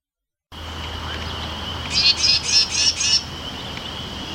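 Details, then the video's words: A Carolina Wren gives an angry scold, a "rack, rack" get-away-from-my-nest call: five harsh, raspy notes in a quick run lasting just over a second, over a steady faint high hum. "The other sound a wren often makes is an angry rack, rack, get away from my nest. Which is also made by the tufted titmouse."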